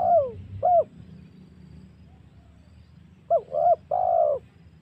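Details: Spotted dove calling as a lure for hunting wild doves. A long falling coo and a short note, a pause, then a double coo followed by a sustained buzzy coo, over a low background rumble.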